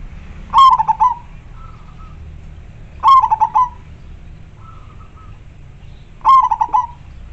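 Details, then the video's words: Local zebra dove, a frequent caller kept as a lure for wild doves, with a clear, full voice: three short stuttering rolled coo phrases about every three seconds, each a bright opening note breaking into quick throbbing pulses, faint soft whistled notes between. "Perkutut lokal gacor suara jernih dan besar ampuh buat pancingan"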